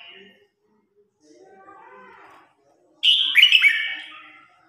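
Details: Red-whiskered bulbul in competition singing, calling the flock: after soft low chattering, one loud, rich warbled phrase of a few quick rising-and-falling whistled notes, fading over about a second.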